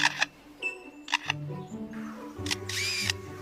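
A superb lyrebird imitates a camera shutter: sharp mechanical clicks and whirring bursts, about four over three seconds, with background music.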